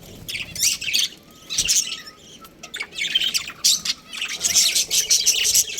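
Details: Budgerigars of a breeding pair chirping in bursts: harsh, buzzy chatter phrases separated by short gaps, with a few thin whistled notes between them.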